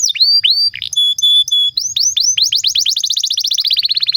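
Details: Canary song for stimulating and tutoring other canaries: a few drawn-out slurred whistles and clear held tones, then an accelerating run of rapid downslurred notes forming a bright rolling trill.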